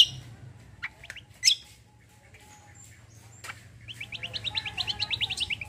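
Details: Kecial kombo roll from a cucak kombo: a few scattered sharp calls, a pause, then a steady fast trill of short high notes repeated about six times a second, over a faint low hum.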